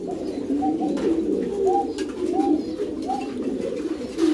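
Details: Pouter pigeons, an inflatable-crop fancy breed of rock dove, in a loft: repeated low coos, each ending in a brief upward lilt roughly every 0.7 seconds, over a constant murmur from other birds.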